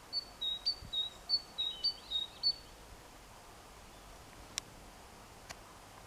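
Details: Tit singing to call its mate, 14 April 2021: about ten bright, high whistled notes swinging between two pitches for two and a half seconds, then quiet with a couple of sharp clicks.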